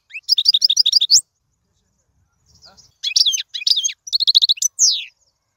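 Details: European goldfinch song for teaching young birds, heard in three bursts of quick tinkling twitters separated by a pause of about two seconds. The last burst ends in a slurred descending note.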